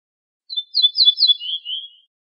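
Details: Ortolan bunting (al-bouh al-fassi in Morocco) with a slightly thinner, softer phrase: a series of high, slightly buzzy notes that slide down into lower, falling whistles. No other sounds.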